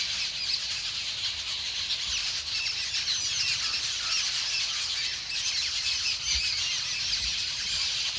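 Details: More than ten Jungle Babblers, the sat bhai or seven sisters, babbling together on a bamboo fence outside an orchard in New Delhi amid mock fights and allopreening. Unbroken rasping, squealing chatter from the whole flock, with a few brief wing flutters.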